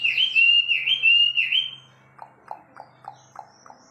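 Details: Wambi bird giving loud whistled notes that rise and fall for about two seconds, then a quieter series of short clicking chips repeated about three times a second.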